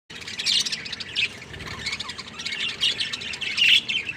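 A budgerigar chatters in rapid, scratchy chirps and warbles, high-pitched and continuous.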